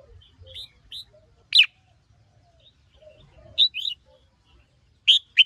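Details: Excited red-whiskered bulbul, worked up by a female. It gives loud slurred whistles and quick two-note wavering phrases, with soft lower chirps in the pauses between.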